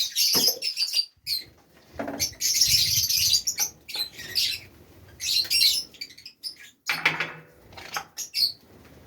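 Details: Kept Fischer's lovebirds at a home aviary with nests in Safi, Morocco: bursts of shrill, high chirps and squeaky chatter come in clusters separated by short pauses, with wing flapping and rustling between.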